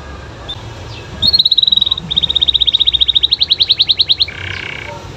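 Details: Canary delivering a long, fast trill of clipped high notes that speeds slightly and rises in pitch, ending in a softer buzzy phrase, over faint background hiss.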